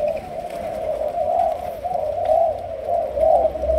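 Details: Young Malaysian-line spotted dove in training as a decoy bird, giving low, soft continuous cooing with rounded swells roughly once a second, steady throughout, with no other clear sounds.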